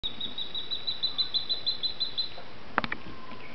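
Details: A brown goshawk, while feeding, gives a fast, even series of about fourteen thin, high notes in two seconds, followed by a sharp knock and faint background noise.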